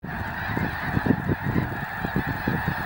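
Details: Flocks of geese landing at Cameron Prairie National Wildlife Refuge, Cameron Parish, Louisiana: a dense, unbroken chorus of countless overlapping honks forms a steady din, with irregular low thumps and rumble underneath.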